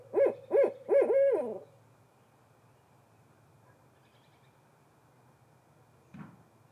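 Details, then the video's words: A female Barred Owl answers her mate with three quick, mellow hoots, the last drawn out and wavering, then a low rumble and one soft knock. "Barred Owl answers her mate with hoots of her own."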